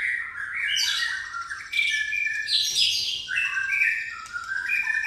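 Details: Pastol white-rumped shama singing a song filled with fighting-sparrow material: a loud continuous stream of rich whistles, slurred notes and harsh chattering sparrow-like bursts, without pause.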